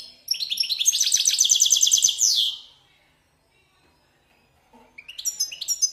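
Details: Caged male European goldfinch, one year old and father of three mule hybrids, in wild-style song: a fast run of rapid trilled notes lasting about two seconds, then silence and a few more high twittering notes.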